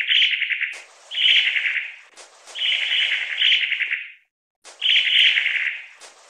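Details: Long-tailed tit (Aegithalos caudatus): a run of grating, pulsed churr calls, several rattles linked almost continuously, then a brief pause before another buzzy rattle.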